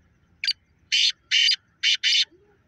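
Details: A Pakistani black francolin gives a harsh, grating phrase of five rasping notes: a short clipped one, two long scratchy ones, then a quick final pair, over a quiet background.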